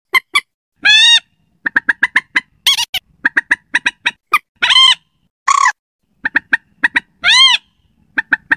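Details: Slaty-breasted rail call used as a night-time lure; loud harsh squealing bursts mixed with quick series of short, clipped, evenly spaced notes, repeating irregularly throughout, with clean silence between phrases.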